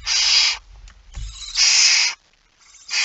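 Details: Barn owl at the nest while prey is eaten, 05:28 on 19 September 2019: long, harsh hissing bursts with a soft thump between the first and second.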